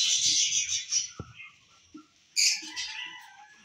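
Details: Lutino and personata lovebirds kept for breeding: rough, shrill chattering that fades, one sharp knock, then a sudden loud squawk followed by lower drawn-out squeaky notes.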